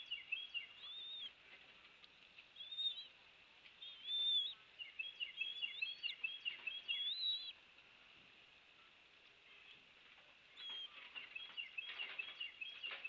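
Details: On Captiva Island, Florida, a bald eagle at its rebuilt nest, filmed by nest cam on 2 February 2023 at 10:21; bursts of high squeaky whistles and twittering chirps, with a lull midway, then more chattering notes over a constant hiss.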